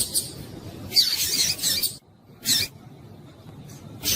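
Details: Female double-collared seedeater in breeding condition calling to excite males: a longer harsh, high, scratchy burst followed by isolated sharp chips, over a low steady hum.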